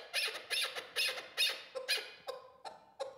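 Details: Chukar partridge from Qubodiyon, Tajikistan, kept as a hunting decoy bird. It gives harsh, rasping chuck notes in quick bursts roughly every half second, then shorter, thinner notes toward the end, heard in a small room.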